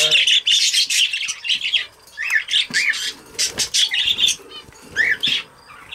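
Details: Lacewing budgie (parakeet) kept as a pet, giving a burst of scratchy warbling chatter, then choppy squawks, clicks and short rising chirps in quick bouts separated by brief gaps.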